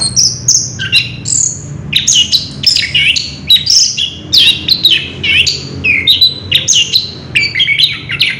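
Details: Orange-headed thrush in ngerol style pours out a nonstop, rich medley of high whistled notes. The phrases sweep up and down and follow quickly one after another.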